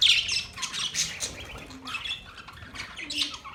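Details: Budgerigars chatter softly: mixed twittering, short warbled notes and a few squawks, uneven and fairly continuous, with faint low background sound.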